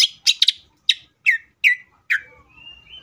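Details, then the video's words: Greater green leafbird in full voice, played to make other leafbirds sing: a string of sharp, down-slurred chips about every half second, ending in a thin, level whistle. "CUCAK IJO GACOR GANAS BUKA MATERI❗PALING AMPUH BUAT PANCINGAN IJO AGAR CEPAT BUNYI AUTO EMOSI!"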